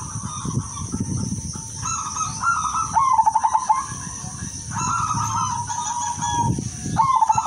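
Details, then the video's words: Female zebra dove, silver variety, calling males as a lure; level coos and fast stuttering note runs, with low murmuring noises underneath and a thin high whine. "pekutut BETINA silver memanggil jantan"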